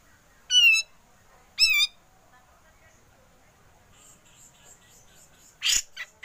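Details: Grey-cheeked bulbul on a training recording for songbirds: two loud, rich harmonic whistles a second apart, then faint high twittering and a sharp noisy burst near the end.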